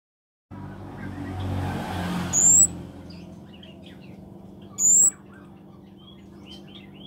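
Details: Scarlet-backed flowerpecker, locally called kemade or cabe cabean, singing actively: two very high, thin, rising notes about two and a half seconds apart, over steady low hum and passing traffic noise.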